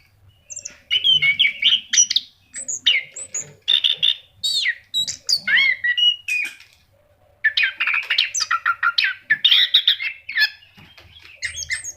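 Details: Orange-headed thrush singing strongly, a lure recording for pet birds: varied whistled and chattering phrases in dense bursts, a brief pause midway, then another long, rich phrase, with a soft low hum in the background.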